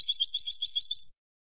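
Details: Ending of a Spanish European goldfinch's song phrase: a rhythmic series of about a dozen bright, twittered high notes, closing on one sharp rising upslurred note, then silence.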